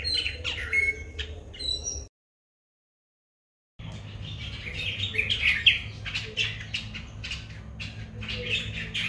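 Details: White-bellied drongo calling in Sri Lanka, captured with a Nikon COOLPIX P1000: varied chirps, a brief whistle and scratchy notes, then a silent gap of nearly two seconds, followed by a busy run of sharp, clicky chattering over low background noise.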